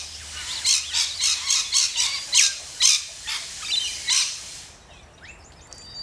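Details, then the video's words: Shrill, grating screeches from rainbow lorikeets in Australia, repeated about twice a second for several seconds before fading, leaving faint distant twittering. "Rainbow Lorikeets"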